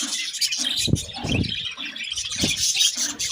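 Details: Budgerigars twittering and squeaking in a thick high chorus, interrupted by a few soft low thuds, perhaps movement, at regular gaps.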